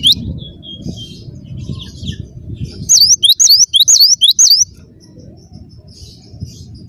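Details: Cinereous tit singing: after faint scattered notes comes a crisp run of about six sharp, rising-and-falling high whistles, set against steady low-pitched background noise.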